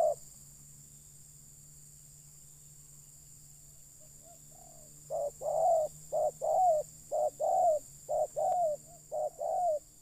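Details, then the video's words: Spotted dove during a session to bring wild birds down. After about five seconds of near silence comes a quick series of softer short-and-long coo pairs, roughly one per second. "Mikat Terkukur..ll Keren kalau Burung liar Sudah Turun"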